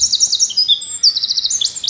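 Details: European robin near Neuchâtel, Switzerland, on a spring morning giving high, thin, fast notes with short trills and sweeping slurs over about two seconds; no other sounds stand out.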